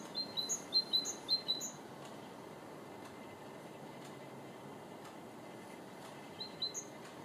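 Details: Great tit (Parus major) singing bright, high two-note phrases, about four in quick succession, then a pause before the phrase resumes, over a steady background hiss; recorded 2 April 2014 or 4 February 2014.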